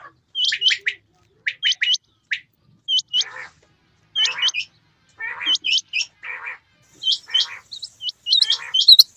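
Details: Quail pair, male and female, during rain: clusters of two or three sharp rising whistles alternate with hoarse, noisy rasping bursts, ending in a rapid run of overlapping notes.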